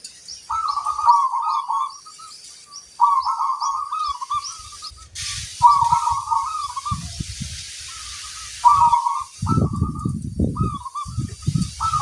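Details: Local zebra dove singing steadily with a big 'kung' voice: repeated bubbling coo phrases with short single notes between them, a brief hissing rush midway, faint high chirps, and low thumping noises later.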